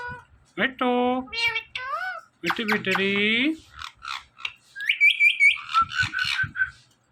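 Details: Indoor talking parrot saying "Mithu": nasal harmonic word syllables and a drawn buzzy call, followed by rapid chirpy chatter and a high whistled phrase toward the end.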